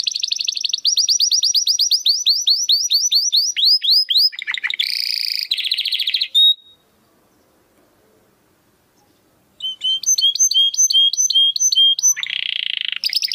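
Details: Domestic canary in full song, a crystal-voice style recording used to tutor contest birds: fast rattling trills of dropping notes, a buzzy burst and a whistled note, then about three seconds of silence before rapid repeated notes and another buzzy roll.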